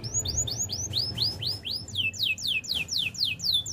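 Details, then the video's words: Training song of a canary: a tour of clear, looping downswept whistles repeated about four times a second, gradually becoming faster and sharper. A faint low hum lies beneath. "Canary birds sounds!! The best canary training song"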